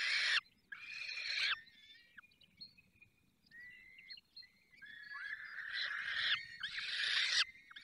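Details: Falcon nest in the Barycz Valley during feeding: loud rasping cries open and close the passage. Between them come quieter thin whistles and short chirping notes, and there is a steady high tone in the background.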